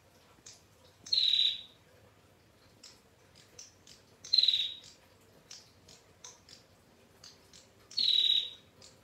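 A female bar-winged prinia gives a high, buzzy rattling trill about every three seconds, with soft chips in between.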